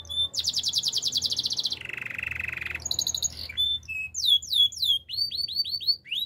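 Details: Singing canary delivers a fast, rolling, high trill, then a lower, rattling, buzzy roll, a brief pause, and a string of sharp, rising, swept notes repeated in quick succession.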